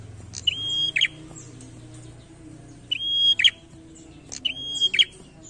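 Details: Prinia singing in lively challenging style, three phrases of a clipped opening note, a level piercing whistle and a buzzy rattling end, spaced one to two seconds apart over a soft low rumble.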